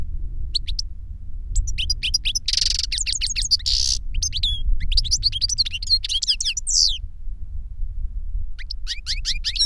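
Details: Master and novice European goldfinches singing reclamo, the novice having copied the master's song from a CD; rapid liquid twitters, a harsh buzzy stretch midway, more chattering phrases, then a last short burst, low background hum.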